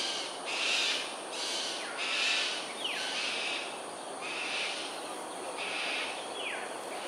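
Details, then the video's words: Cockatoos flying in aerial display at Sungei Ulu Pandan, Singapore, on the morning of 13 January 2022 at 7.43am. A series of coarse, raspy screeches repeats about every second, and another bird gives short falling whistles. "Cockatoos "Aerial Display""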